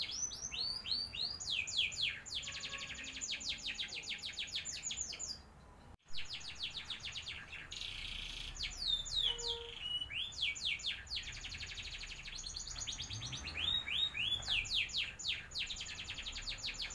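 A canary sings long, high, rolling trills of rapid repeated notes, shifting from one tour to the next.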